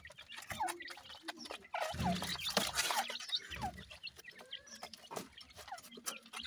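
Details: Grey francolin chicks (gora teetar) give short, thin peeps that slide downward, scattered irregularly among dense clicking, tapping and rustling sounds close to the recorder.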